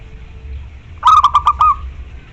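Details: Zebra dove, local type, singing to call a rival: one phrase of five rapid, warbled cooing notes, the last held a little longer, set against a quiet low hum.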